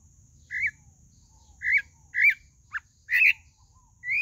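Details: Whistled song of a pale-breasted thrush (sabiá-do-barranco): short rising and falling notes about a second apart, one lower clipped note, and a final upward whistle, over quiet background.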